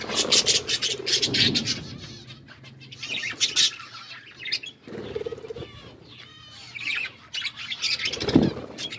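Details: Several pet budgies eating and playing with their food: bursts of bright, scratchy chirps and warbles come in clusters, broken by quieter gaps, with wing flutters and soft low rustling throughout.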